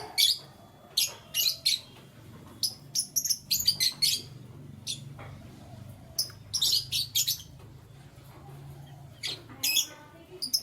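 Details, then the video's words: Canaries chirping in the morning: bright, high, sharp chirps in short clustered bursts, some in quick runs of three or four, separated by brief pauses, over a faint low hum. "Canary Chirping Sounds"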